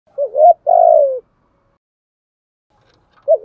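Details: Decoy spotted dove cooing in the morning to lure a flock: a short wavering low coo, then a longer hoarse coo sliding downward, with a fresh phrase starting after a two-second pause.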